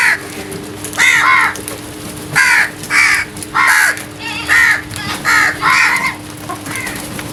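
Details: Loud early-morning crow calls: a rapid run of about nine harsh, nasal caws, some in quick pairs, evenly loud, over a low constant hum.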